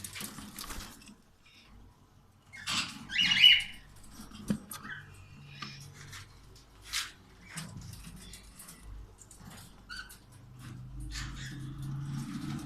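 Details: A cockatiel at a bird farm during the April breeding season gives a harsh, squawky call, with a few fainter chirps and clicks after it.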